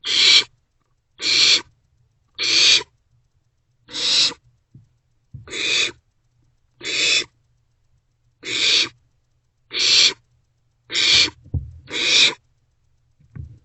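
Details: Nighttime recording from a barn owl nest box, 27 March 2024, as owlets share a vole; ten short rasping hisses spaced one to one and a half seconds apart, with soft scraping sounds between.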